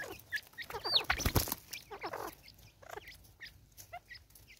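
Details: Angry female Natal spurfowl, South Africa, 2024, letting out a loud, scratchy cackling burst at the start, then softer rasping notes. A high whistled note from another bird is heard early on.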